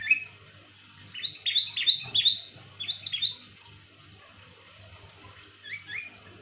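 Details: Loud, clear calls of a sooty-headed bulbul used as a lure: a lively cluster of quick bubbly whistled notes, rising and falling for about two seconds, then quiet, then two softer notes near the end.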